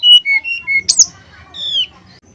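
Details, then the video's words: Male brown-chested jungle flycatcher singing in its flute-like nyuling style as a lure for rival males: a quick string of pure whistles stepping down, a sharp high slur, then one long falling whistle over faint low murmuring. "TES SUARA SRDC JANTAN KALIAN.!! PANCINGAN SRDC SIKATANRIMBADADACOKLAT, SUARA SRDC, SRDCNYULING"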